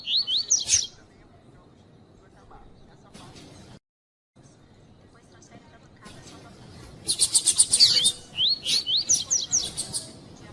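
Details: Female double-collared seedeater calling to warm up the male coleiro tui-tui. A few rising whistles sound at the start, then comes a quiet stretch with a brief dropout. Dense bursts of sharp chips mixed with rising whistled notes close the clip.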